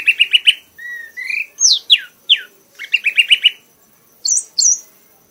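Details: Caged prize-winning red-whiskered bulbul in full, excited song until worn out: quick trilled runs alternating with sweeping downward slurred whistles and short rising notes, ending with two sharp high chirps.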